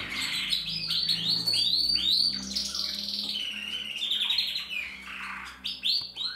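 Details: Captive-bred Portuguese Harlequin canary singing: an unbroken, fast warbling stream of high rolling trills and swept whistled notes, the phrases shifting every second or so, over a faint low hum.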